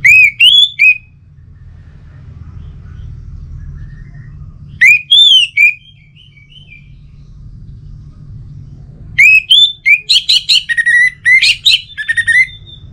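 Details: Captive Orange-headed thrush (Geokichla citrina) kept at home in northern Bali, Singaraja, singing loud, rich whistled phrases that slur upward about every four to five seconds, ending in a fast run of sharp notes, over a low hum.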